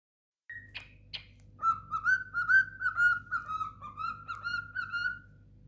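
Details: A pet cockatiel trying to sing 'If you're happy and you know it, clap your hands', whistling a run of clear, wavering notes.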